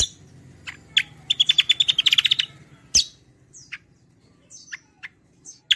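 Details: Kecial kombo singing, a lure and song model for other birds: a sharp chirp, then a fast rolling trill of about a dozen notes, followed by a loud click and scattered high slurred whistles.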